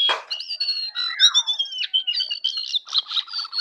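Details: Morning chattering song of a jongkangan, opening with a harsh burst, then steady high whistled notes and quick trills, ending in a run of short stuttering notes.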